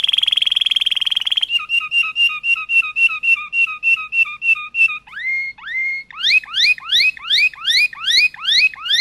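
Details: Malinois canary singing in clean, distinct tours: a rapid rolling trill, then evenly repeated mellow whistled notes, a few slow rising slurs, and finally a quick series of upswept whistles. No other sounds.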